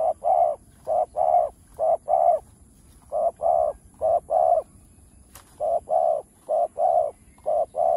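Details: Spotted dove cooing used to stimulate other doves to call, in rural farmland: rapid runs of short mellow coos in groups of two and three, repeated steadily throughout, low-pitched with a faint background hum.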